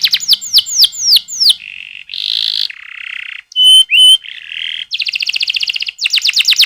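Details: Canary song meant to prompt young canaries to sing: falling whistled tours, then a series of buzzy rolls at different pitches, a pure whistled note, and rapid pulsed trills.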